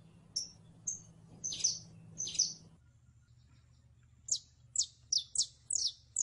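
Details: Canario criollo, the saffron finch, with sharp high chirps that pause, then return as a quicker series of downward-slurred tsip notes, over a faint low hum.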